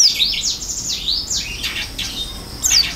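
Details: Oriental white-eye singing vigorously in the filled-in song style: thin high whistled notes sliding down and up, loose and scattered over three seconds, with softer overlapping phrases between them.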